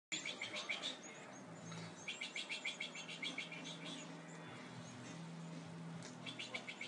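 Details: European goldfinches at their nest giving rapid, high, thin chirps in quick bursts of about three per second, pausing then resuming, over a steady low hum and noisy background.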